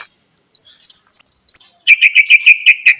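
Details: Song of the white-rumped shama, used to coax a silent bird into singing: four high upslurred whistles followed by a quick, regular series of seven lower chirped notes.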